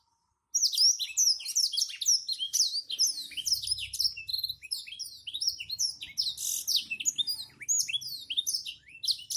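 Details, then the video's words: A national-champion Black-throated Canary, very vocal, sings a fast, unbroken run of high, twittering notes, with rapid sweeps and trills tumbling over one another throughout. "burung blackthroat super gacor"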